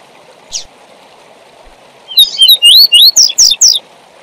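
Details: Tui tui zel zel song of a double-collared seedeater, played to train young birds: one buzzy chip, then a rapid run of about nine bright, upward-sweeping whistles against a constant background hiss.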